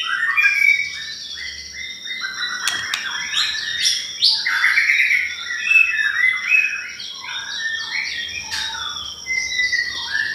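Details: Pastol song used as a lure for white-rumped shama: busy stream of whistled slurs and chirps, rapid and varied, over faint low background noise and a constant high hum.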